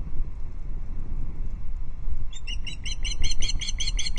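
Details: Alarmed female osprey on her perch by a Loch Arkaig nest, 5 August 2022 evening, with an intruding osprey nearby: low wind-like rumble, then from midway a rapid string of about ten piercing, high whistled notes.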